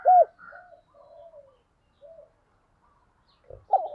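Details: Spotted dove used as a decoy to provoke rival birds, with one loud short coo at the start and another at the end, and faint drawn coos between.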